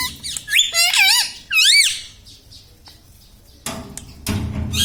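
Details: Pet ring-necked parrot, said to talk and say mummy, papa and radhe radhe, gives two clear, looping, warbled vocal phrases at the start, followed by quieter room noise and low rustling.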